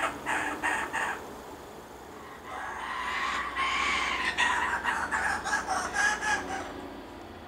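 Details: Laughing kookaburra parent feeding its chicks at a spot beside bushland where it has been fed shredded steak for about a year. Rough, rhythmic cackling bursts build and repeat in loud pulses over a noisy hiss.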